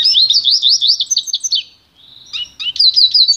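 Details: Pintagol, a goldfinch × canary hybrid, in pure song used for song training: a fast, loud twittering warble of high rolling trills and chirps. A short pause follows, then the rapid jingling phrases resume.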